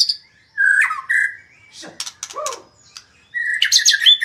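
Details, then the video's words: A magpie-robin gives loud clear whistled phrases, a few harsh chips and a short burst of high mixed notes, separated by brief silences. "burung murai suara mewah"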